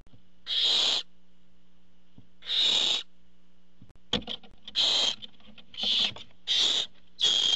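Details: Barn owl at a nest, filmed by a nest camera as the father arrives with food; seven harsh, breathy hissing screeches, each about half a second, in irregular bursts, with a sharp knock between them.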